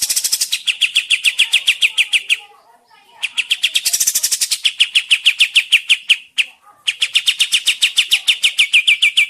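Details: Lure recording of a sooty-headed bulbul, played so birds reply and sing: three long bouts of rapid, clipped, repeated notes separated by short pauses, loud and close.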